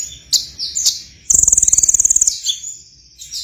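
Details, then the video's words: Actively singing sunbird giving a few high sharp chirps, then a fast, even, very high-pitched buzzy trill lasting about a second, followed by more scattered thin chirps. "suaranya gacor itulah burung kolibri"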